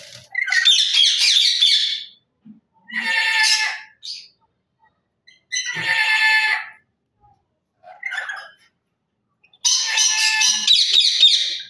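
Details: Lory parrot calling: loud, harsh, raspy squawks lasting one to two seconds each, repeated with short silent gaps, with a few brief softer chirps between them.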